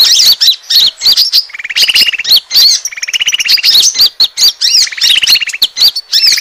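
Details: Lure for attracting birds, Asian glossy starling: piercing chirps alternating with three buzzy rattled trills of rapid even notes, each about a second long, in a busy, repetitive pattern.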